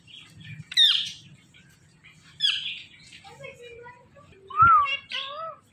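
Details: Indian ringneck parakeet talking, mimicking speech indoors: three bursts of harsh, harmonic, chirpy syllables with rising and falling bends, spaced about two seconds apart, with a soft low hum underneath.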